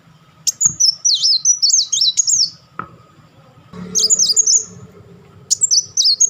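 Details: Black sunbird delivering crecetan chatter and rapid tembakan bursts: high, thin, sweeping whistled trills in strings of quick notes, with brief pauses between phrases and a faint hum behind.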